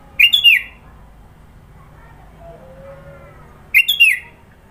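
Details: Song of a sooty-headed bulbul, East Java, full of fill-in phrases: a lively burst of clear, warbled whistles, a soft faint whistle in the gap, then another quick three-syllable whistled phrase about three and a half seconds later.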